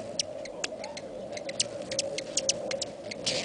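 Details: Hummingbirds in a feeding frenzy, swarming a feeder, give a steady low humming drone from their wings, with sharp high ticks and chips scattered irregularly throughout.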